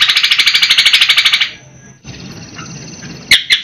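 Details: A Greater Green Leafbird, its song said to include sparrow and "helicopter" phrases, gives a fast, harsh, rattling chatter of about twenty notes in under two seconds, then falls quiet before two sharp high notes.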